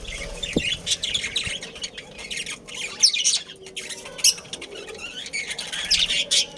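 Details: Caged budgerigars, a breeding pair and family from a colony in Karachi, keep up a dense, buzzy warbling chatter with short squawks scattered throughout and a couple of faint clicks.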